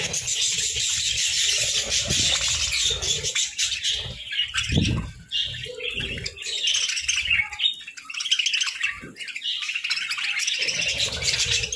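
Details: Budgerigars during winter feeding on grass and moringa: constant overlapping high chirps and squawky warbles, with a louder low crunch about halfway through.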